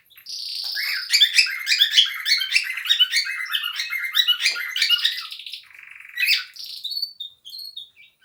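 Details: Pet cockatiels at play produce a dense run of chattering squawks and chirps for about five seconds, followed by a steady harsh buzz and a few short thin whistled notes.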